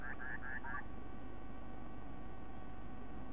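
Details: White-bellied sea eagle (Haliaeetus leucogaster), recorded 13 October 2020, gives four quick, honking notes in under a second, then falls silent over a steady low rumble of wind or engine noise.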